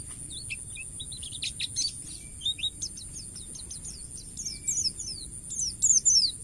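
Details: Wild white-eye singing a long 'isian' phrase used to train other birds: scattered high chirps giving way to a rapid run of sharp downslurred whistles, ending in bright loud twittering bursts, over a constant thin hiss.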